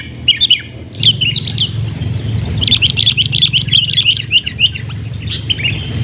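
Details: Sooty-headed bulbul heard while being lured with a decoy bird: a few scattered chirps, then a lively run of quick, bubbly notes lasting about two seconds, over a low engine-like drone.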